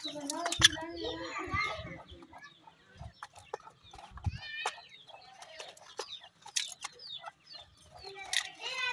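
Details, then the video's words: Grey francolin chicks, known locally as dakhni teetar: thin, high peeping notes in short arched slurs, scattered between soft low clucking and sharp clicks, with quiet gaps. "Dakhni Teetar's New Chicks Take Center Stage,goray teetar chicks"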